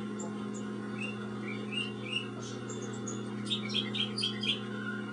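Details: A pet cockatoo chirping sweetly: thin, rising chirps spaced through the first half, then a quick cluster of bright, high chirps toward the end, all over a steady low hum.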